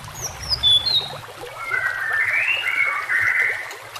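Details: Shama song from a training recording for other shamas: short high whistles followed by a long wavering, rising and falling whistled phrase, with trickling water throughout.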